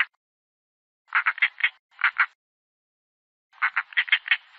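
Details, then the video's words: European roller calling with grating, rasping notes in bunched groups of two to five, broken by pauses of a second or more, on a silent background. "European roller calls"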